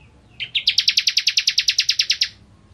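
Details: Bar-winged prinia in energetic song, recorded to tutor other songbirds: two lead-in notes, then a rapid, evenly paced trill of about fifteen bright chips lasting under two seconds.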